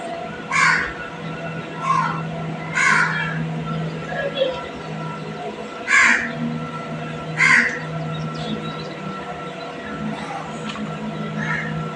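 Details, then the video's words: Harsh, rasping squawks from a green parrot, single loud bursts spaced irregularly about every one to two seconds, interspersed with softer short calls above a low steady hum. "Green parrot 🦜 talking natural sound"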